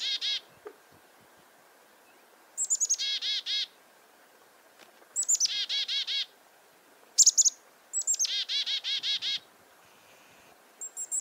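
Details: Chickadee alarming at a goshawk close by, on a farm in February 2021. Repeated chick-a-dee calls, each with high sharp opening notes followed by a run of four to six rough, buzzy dee notes, with quiet pauses between bouts.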